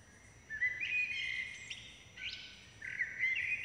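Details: Common blackbird nestlings beg while both parents feed them: a sustained stretch of high, strained squealing, a brief dip, then more wavering, overlapping cries to the end.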